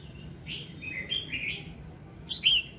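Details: Red-whiskered bulbul singing at morning, played to encourage singing: a run of mellow slurred whistled notes, then a louder bright warbled note near the end.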